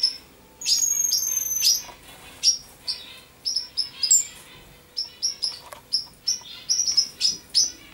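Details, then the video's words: Common chaffinch singing a busy series of high, sharp notes and descending trills, dense at the start and then quick separate chirps crowding toward the end. "Pinson des arbres - Common Chaffinch - Amenferiw - شرشور"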